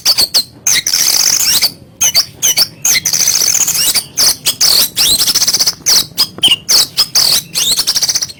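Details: Oriental magpie-robin delivering rough 'kasaran' song meant to make rivals puff up: a string of short, high, scratchy and rasping bursts separated by abrupt gaps, some stretched into grating chatter, all loud and close.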